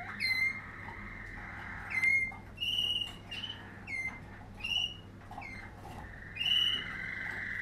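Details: Waterslager canary from a 2020 line singing mostly drawn-out whistled tones and short rising pipes, separated by brief pauses, against a faint low hum.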